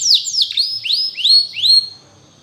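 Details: A canary in song for training delivers a few clear, slow whistled slurs that swoop down and then rise, each note held briefly before fading.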